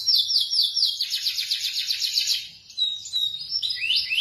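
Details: Melodious song of a local Indonesian canary: a rapid, even trill of high notes for over two seconds, a short pause, then sliding whistled notes rising and falling.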